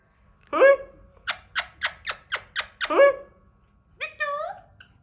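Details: Hand-tame Alexandrine parakeet trying to speak clearly: a harsh rising squawk, then a run of rapid clipped clicks, another squawk, and a final wavering nasal syllable, with a quiet low rumble beneath.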